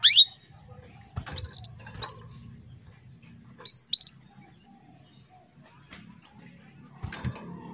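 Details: A female canary summons a male to bring on breeding condition, giving ringing rising whistles, several in doubled pairs, spaced through the recording, with light clicks and a low background hum.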